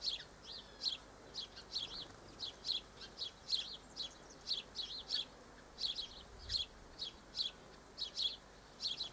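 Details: A continuous stream of short, high, nasal chirps from Double-barred finches, filmed 1 December 2013, two or three per second, many in quick pairs, over quiet hiss.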